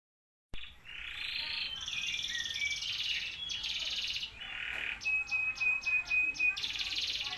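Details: Canary singing a lively, energetic song: buzzy high trills and rolls, then a sharp repeated chip series near the end, with a steady faint hiss behind.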